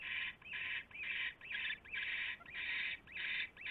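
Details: Owls at a nest at 12:43 AM on 27 January 2016, when a huge rat is delivered: loud rasping hisses, each about half a second, repeated roughly twice per second with short gaps.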